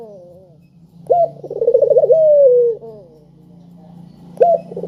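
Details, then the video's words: Spotted dove giving its sharp, tuneful coo to stir lazy birds into calling: a bright onset, quivering pulsed notes, then a long smooth falling tone, over a steady low droning hum; a new phrase begins at the end. "Burung Puter Gacor Suara Merdu,Tajam Cocok Buat Pancingan Yang Pemalas Bunyi"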